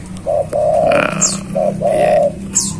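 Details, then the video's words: Tame spotted dove singing actively while free outside its cage: a short low coo followed by a longer, rolling coo, the pair repeated twice, with faint high chirps of small birds in the background. "burung tekukur gacor di luar sangkar"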